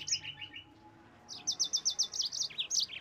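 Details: Yellow-fronted canary song used to provoke rival birds into singing: a short burst of high chirps, then a fast run of bright, evenly repeated high notes, with faint low hum beneath.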